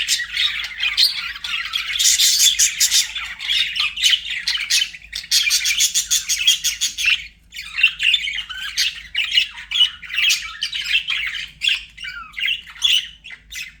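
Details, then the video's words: Pet budgies sing a long, fast warbling song of rapid buzzy pulses and chirps, denser at first, then breaking into looser twittering phrases and short whistles. "BUDGIE SOUNDS"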